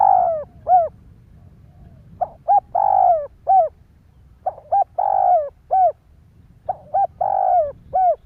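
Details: Spotted dove cooing in the 'thúc gù' style meant to rouse other doves, with phrases repeated roughly every two seconds: two quick short notes, a long throaty rolling coo, then a clipped closing note, over a soft low rumble.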